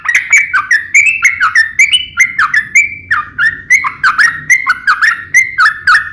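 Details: Vigorous nembak ropel ngeplong song of a sooty-headed bulbul: a lively chain of clear slurred whistles, each dipping and rising, repeated without a break over a faint low hum.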